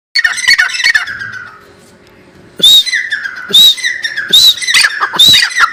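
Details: Partridge giving loud, harsh, squawking notes: a burst of rapid calls, a short pause, then four strong ringing calls roughly one second apart, each with a high piercing edge.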